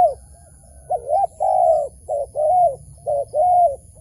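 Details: Cooing of a wild dove being lured to a trap: six or seven throaty notes alternating between short doubled coos and longer drawn-out ones, steady and close.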